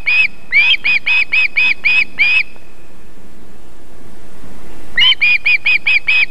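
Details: Osprey female feeding young at her nest in Võrumaa, Estonia, 31 July 2021 at dusk: two bursts of high, clipped whistled yelps, about seven in the first run, then a silent gap before another quick run.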